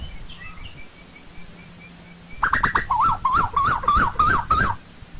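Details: Asian koel of old-growth forest: after quiet, a rapid series of about seven rising-and-falling notes, each bending up then down, tumbling in quick succession for nearly two seconds, with faint background chirps.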